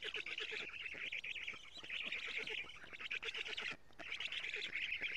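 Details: Black stork chicks at a nest in Estonia in June 2017, fed lampreys by their mother, caught by a nest camera; shrill, wavering, raspy calling in bursts, with ticking pulses below and a short silence near the end.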